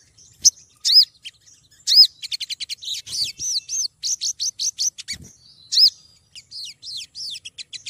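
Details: Female Olive-backed Sunbird (sogon) calling for a male, recorded as a lure: scattered sharp high chirps, then a fast stuttering series of thin ticking notes and bright arched chirps, closing with a looser run of squeaky notes.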